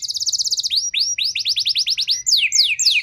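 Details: Canary song used to provoke a reluctant canary: a fast buzzy roll, then rapid rising-and-falling whistled notes, ending in sharp high downward slurs.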